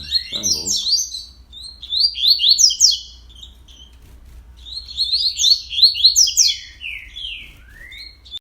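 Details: Morning song of a fast-singing Double-collared Seedeater, recorded 31 October at 06:30: two long bursts of rapid, twittering whistled phrases separated by a short pause, with a brief voice at the start.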